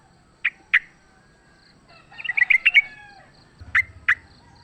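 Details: Wild sooty-headed bulbul fighting, in a recording used as a lure: two sharp separate chirps, then a quick bubbly chatter of clear notes at mid-high pitch, then two more single chirps with a faint low hum.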